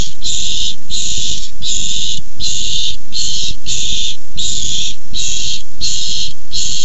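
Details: Barn owls squabbling over a tiny mouse, 6-4-15. About ten short harsh hisses, each around half a second, are repeated in a fairly steady rhythm roughly every 0.7 seconds, with a low hum in the background.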